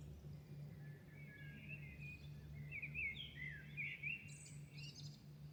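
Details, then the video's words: Birds singing at dawn in Milan: bright, warbling phrases of quick whistled notes and trills, with a higher scratchy burst near the end, over a steady low hum from the city. "Singing night Milano birds at dawn"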